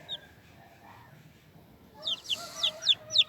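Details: Chicks become audible after a quiet stretch, with a few high, falling squeaky peeps gathering into louder repeated chirps near the end.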